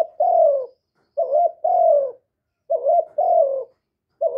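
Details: Loud call of a young male spotted dove: a long descending coo, then repeated two-note phrases, a short wavering note and a falling coo, about every one and a half seconds, with a fourth phrase starting.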